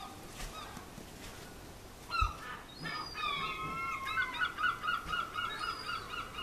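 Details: Herring gull on the rooftops of Clacton-on-Sea, Essex, England, in July 2015, giving loud, nasal, yelping calls that break into a rapid run of repeated laughing notes, about four per second, over faint background noise.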